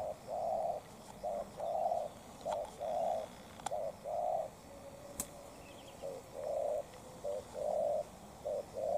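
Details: Spotted dove duel: a short-tailed decoy bird challenging a wild bird. Low hollow cooing in paired phrases, a short note then a longer drawn-out one, repeated steadily about every second and a half, with a faint click and quiet outdoor background.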